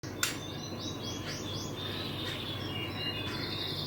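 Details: White-rumped shama chick, 25 days old, hatched 30 March 2024: a run of thin, high, downslurred squeaky notes repeated about every quarter second, then softer high chirps over a steady low background hum.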